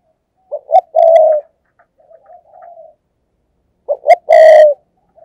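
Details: Spotted dove used as a lure for wild doves, giving two quick stuttered notes followed by a loud, sustained, hollow coo, repeated twice with soft quieter coos between.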